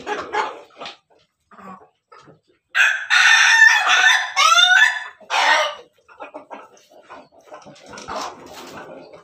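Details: Laughing chicken (ayam ketawa) crowing: a rapid burst of loud, harmonic, laugh-like syllables lasting about three seconds, framed by softer scattered clucks before and after in a quiet setting.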